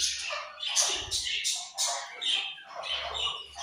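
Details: Several budgies chatter loudly and continuously: rapid, scratchy, high-pitched chirps and warbles follow one another in quick bursts, with a soft low rumble beneath in places.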